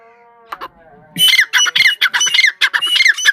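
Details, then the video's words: Grey francolin call, a local partridge variety: a steady low tonal hum first, then loud, harsh, grating squawks delivered in quick repeated bursts, about two to three per second, ringing strongly through the second half. "tetar sound"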